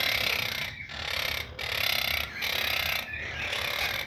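Monk parakeet giving harsh, grating screeches in long bursts broken by brief pauses.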